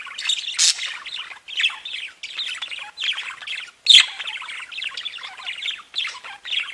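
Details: Budgerigars sing and chirp in a busy flock chorus: overlapping twitters and squeaky warbles come in bursts, with one loud harsh squawk near the middle.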